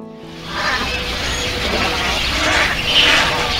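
A breeding colony of little and cattle egrets: a dense, continuous chorus of hoarse, croaking calls from many birds, with a few notes of music at the start.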